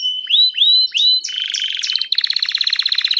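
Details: Painted Belgian canary singing its melody. Several rising whistled slurs lead into a fast, rattling high trill of rapidly repeated notes, crisp and clear with no background noise.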